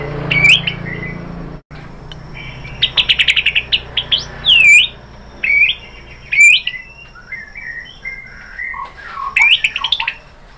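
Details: White-rumped shama lure song to provoke singing: clear whistled phrases and rapid ticking trills, bright high notes with steep upward sweeps, separated by brief quiet gaps over a faint low hum.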